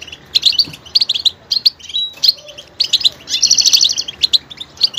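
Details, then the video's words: Goldfinch singing with great diversity, switching between sounds: bright twittering bursts of high tinkling notes, a short thin whistle near the middle, then a dense rapid buzzy trill before more chirping phrases. "motivational ringtones that will take you on a journey with goldfinch"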